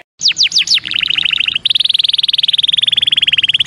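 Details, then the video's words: Belgian canary song used with young birds: a few steep falling whistles, a quick lower rattle, then a long fast even trill of high notes. "ENCARTE CANÁRIO BELGA PARA FILHOTES"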